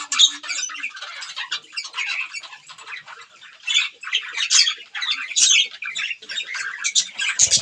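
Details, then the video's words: Budgies chirping while eating green food, uneven runs of high squeaks, harsh chatter and warbles, softer at first and louder in the second half. "budgies green food eating | bird chirping sound"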